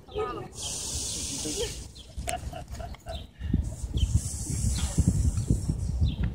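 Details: A goose confronting a groundhog gives long, breathy hisses over a background of low rumbling and faint voices.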